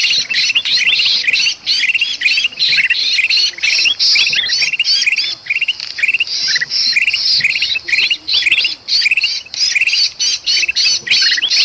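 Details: Bulbul making an agitated commotion in Sumatran forest, used to lure birds. It gives dense overlapping chirps and harsh hissy bursts, tumbling rapidly and almost without pause for the whole stretch.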